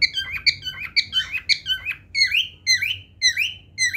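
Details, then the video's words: Cockatiel song of fast, bright chirps repeated about twice a second, shifting from short squeaky notes to longer upward-sweeping whistles. "Bro is singing here"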